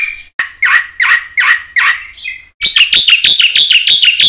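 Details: Black-winged myna singing as a training lure for quiet mynas: five rough, squawking bursts about half a second apart, a short gap, then a fast, even series of sharp, chirping notes.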